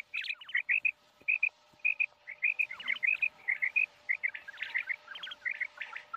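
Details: Common quail (Coturnix coturnix), call.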